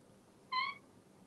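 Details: Pet male African grey parrot kept indoors in a home in Texas, hatched in 1997, playing and talking. One short, clear whistled note that rises slightly, rich in overtones, over a quiet room.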